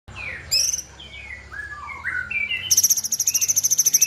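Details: Sooty-headed bulbul song: a run of short clear whistled notes stepping downward, then rising again, followed by a fast, even train of high pulsed notes repeated for over a second, over a faint low hum.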